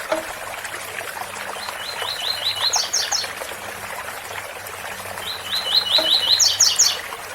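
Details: Two phrases of the tui tui bitola song style from a double-collared seedeater by a waterfall, each a quick series of repeated slurred notes topped by higher buzzy chirps, over continuous rushing water.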